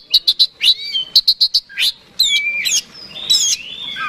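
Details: Oriental magpie-robin in fighting song meant to provoke a rival bird: two quick series of sharp chips, then long whistled slides and a descending warble.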